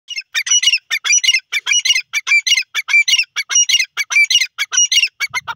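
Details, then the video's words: Grey francolin, locally called teetar, calling: loud, harsh, rasping squawks given in quick, fairly regular bursts about every half second throughout, all high-pitched, with no other sounds. "grey frahcolih bird ki awaz"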